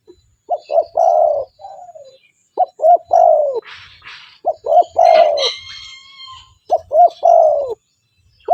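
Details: Energetic spotted dove call used as a lure for wild doves: four repeated phrases of two quick coos and a long, descending, throaty coo, with another bird's brief chirping and whistled notes between phrases.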